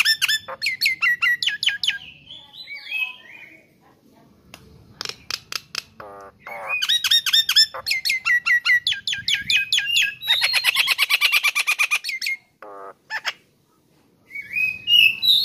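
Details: Nias hill myna singing vigorously, used as a tutor recording for songbirds: rapid bursts of harsh, ringing squawks repeated several times a second, mixed with short clear whistles, a dense rasping stretch near the end, brief silent pauses between bursts.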